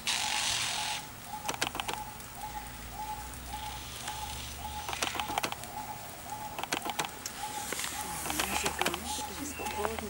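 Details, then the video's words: Male Superb Lyrebird, an Australian forest bird, mimics mechanical sounds to attract females: a steady mid-pitched beep about twice a second, broken by sharp clicking bursts like a camera shutter and motor drive. "Lyrebird Mimic sounds"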